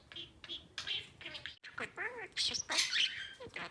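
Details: Male albino budgerigar, about four years old, kept as a pet, chattering in imitated speech: short scratchy high-pitched word-like bursts with warbled slides, separated by brief pauses, indoors.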